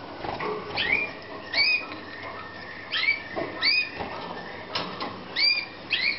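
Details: Slavujar canaries kept for breeding in Romania, 2014, repeat quick upward-sliding chirps roughly every second, often doubled, amid cage rustles and a low mechanical hum.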